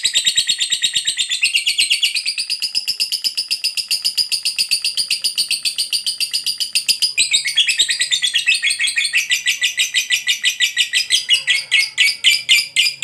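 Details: Lovebird, a fighter-type bird, giving a long ngekek chatter meant to provoke other lovebirds into answering: a rapid, unbroken stream of shrill buzzy notes, about six per second, running for thirteen seconds and rising in pitch midway.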